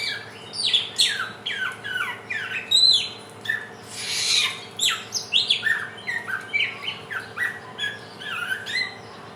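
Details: Helmeted friarbird, known locally as samyong, a bird native to West and East Nusa Tenggara, Indonesia, singing in the trotolan style: quick series of sharp, descending chirps and squawks, one harsher burst near the middle, with steady low hum behind.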